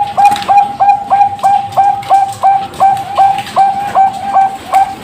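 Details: A captive-bred, ringed Zebra Dove (Bangkok perkutut) hatched 24 September 2023 at a bird farm in Pasuruan, East Java, gives a fast, even run of short, soft cooing notes, about three per second, each with a faint click at its start.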